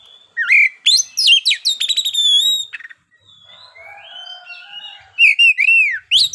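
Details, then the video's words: Midday oriental magpie-robin in 'ngeplay' song, meant to provoke other birds: loud rapid ringing notes and trills, a quieter murmuring passage, then clear downslurred whistles. "PANCINGAN SUARA KACER NGEPLAY SIANG HARI"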